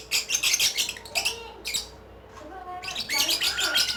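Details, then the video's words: Lovebird in ngekek song, giving dense, rapid, shrill chattering in long runs, broken by one brief pause, then resuming in a fast, scratchy stream. "LOVE BIRD || ngekek 8 kilo meter"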